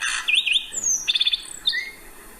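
A Lark Sparrow's quick jumble of varied notes: buzzy slurs, a rapid burst of five clipped chips, then a thin whistle, all high and brief.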